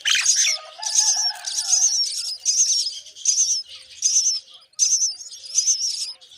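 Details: Hungry myna chicks begging while their mother feeds them termites: high, harsh, buzzy bursts repeated about once a second, with a lower call from the adult near the start.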